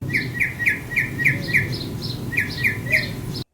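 A Northern Mockingbird repeats one short chirped note at the same pitch, about three times a second, over a low background rumble.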